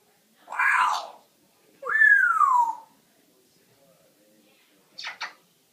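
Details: Pet parrot in a small room making sounds: a long husky wavering call, then a loud whistle gliding smoothly downward, followed by two short clicking bursts.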